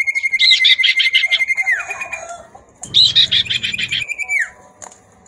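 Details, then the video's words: Common iora male singing back and forth with a female chattering: a long steady high whistle with rapid buzzy notes over it, ending in a downward slur, then a second burst of harsh chatter and whistle. "sirtu/cipoh gacor bersahut-sahutan & betina nyrecet"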